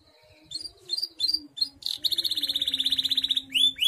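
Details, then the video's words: Canary singing in a competition-style song: a few short chirps, then a long fast trill of even notes around two and a half per tenth-second, ending in two sweeping whistles. "KENARI GACOR"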